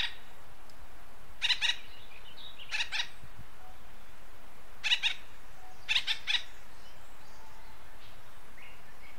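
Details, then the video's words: Acorn woodpecker (Melanerpes formicivorus) of western North America giving harsh, nasal, scratchy notes in short doubled bursts every second or two, over a quiet low rumble. "Acorn Woodpecker Call"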